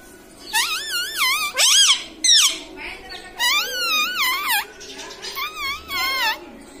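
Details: Pet green ring-necked parrot repeatedly says "Mami" and "Mitu" in a shrill, nasal voice in quick bursts, with a person speaking nearby; parrot.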